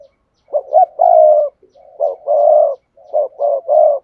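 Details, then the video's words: Spotted dove lure song played through a speaker: low mellow coos in phrases of short notes ending in a longer rolling coo, three phrases close together, no background noise. "Tiếng Chim Cu Gáy Mồi, dùng loa kích bổi nhanh gáy không tạp âm"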